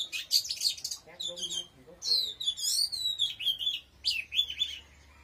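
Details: Strong Oriental magpie-robin song: clear, ringing whistled notes and rapid descending phrases, repeated in lively bursts with brief pauses.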